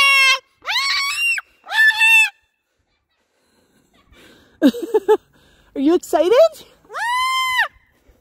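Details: Excited pet Moluccan cockatoo chatting on a walk to the park: a series of loud, rising-then-falling harmonic squawks, with lower, choppy, wavering vocal bursts in the middle and a final long arched call.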